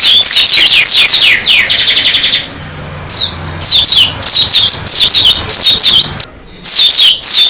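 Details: Singing Oriental white-eye, dakun variety: rapid chains of piercing high descending chirps, a short buzzy rattle, then renewed loud bursts of falling notes broken by short silences.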